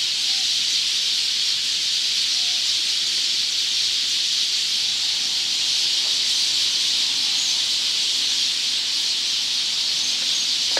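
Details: In the evening, a huge flock of Eurasian tree sparrows gathered in a park tree chirps all at once, recorded from directly beneath; countless high chips blend into a steady, hissing wall of sound.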